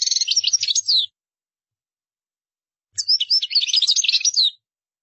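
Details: European goldfinch song: two fast, jangling phrases of high, tinkling twitters and short trills, each about one and a half seconds long, separated by a two-second pause, with no other sounds.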